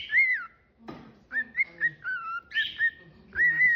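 A cockatiel whistles a tune of clear, bending notes, rising and falling in quick phrases, with one brief sharp click partway through.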